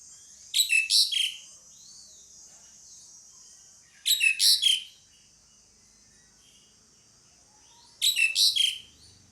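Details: Pied myna calling in three short squeaky bursts of three or four harsh whistled notes, each burst about four seconds apart, with a faint steady hiss between them.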